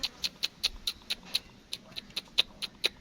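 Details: Captive black francolin chicks, offered for sale, peeping steadily: thin high clipped notes repeated roughly twice a second in a fairly even series, over a faint low background hum.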